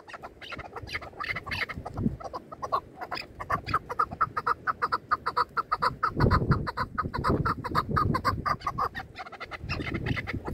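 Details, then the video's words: Chukar partridges during a partridge hunt give rapid, repeated clucking chuck notes, about two a second, building into a busy chorus, over low rumbling background noise with human laughter. "Кабк Keklik که و Partridge Chukar"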